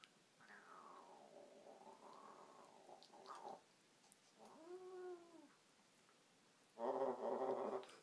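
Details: African grey parrot, a pet indoors, talking and making noises: a long wavering harmonic call dipping and rising, then a short arched nasal note, ending with a loud harsh raspy burst.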